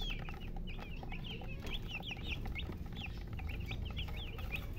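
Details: Chicks chirping: many high, thin peeps, each a short sharp up-and-down note, overlapping in a steady busy stream, over a low continuous rumble.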